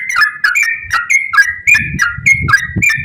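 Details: Yellow-vented bulbul delivering fast ropel song to encourage other bulbuls to sing: clear liquid whistles, each dipping then rising, repeated rapidly and loudly, some low rumbling noise beneath.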